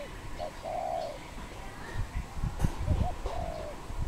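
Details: Cambodian wild dove, 24 April 2020: two drawn-out low coos, each preceded by a short hooked note, partly covered by low rumbling and thumping noise.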